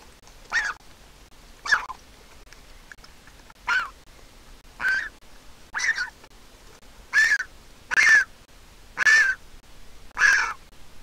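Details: Begging Griffon vulture nestling, hatched 22 April 2021, at a monitored nest in Israel as its mother comes to feed it; nine harsh, squealing calls spaced roughly a second apart, growing louder toward the end, with a quiet background.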